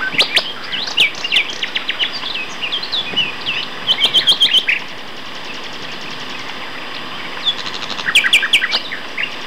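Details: At Castor Hanglands near Peterborough, England, two male common nightingales sing in May 2012, with varied chirps and slurred whistles, a quick rhythmic run of repeated notes, a pause, then renewed sharp, rattling phrases.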